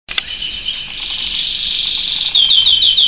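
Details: Canary song: a continuous high buzzy trill, steady throughout, ending in a run of quick repeated chirping notes, indoors.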